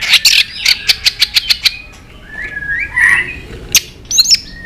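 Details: White-rumped shama in fighting song: a harsh, rapid series of rasping chips, then soft, bubbling whistled phrases and a few sharp high notes.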